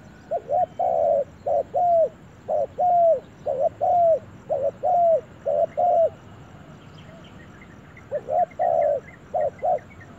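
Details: Spotted dove on its first outing to the forest, cooing in a steady run of arched, hollow notes roughly once a second, pausing briefly before resuming; faint higher chirps of other birds in the background.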